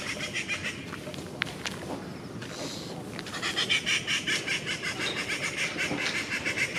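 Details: Wild treepie: scattered faint notes and clicks, then midway a run of loud, harsh, repeated chattering notes, about two or three per second, over steady background hiss.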